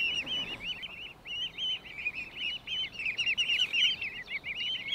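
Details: A family of mute swans feeding as they move through the water, filmed 26–28 May 2023: cygnets give a constant stream of high, squeaky cheeps, several chicks calling over one another about three times a second.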